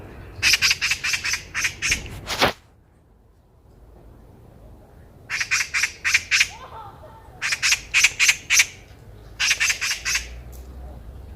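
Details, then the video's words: Eurasian magpie calling loudly on a walk in Korea, a harsh rattling chatter of rapid broadband squawks in bursts of five to eight notes, with pauses between bursts; faint background hum. "까치 새소리"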